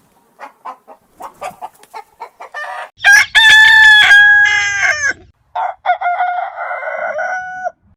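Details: Chicken sounds: a patter of soft rapid clucks building into a loud rooster crow with strong harmonic tones, then a second drawn-out cackling call.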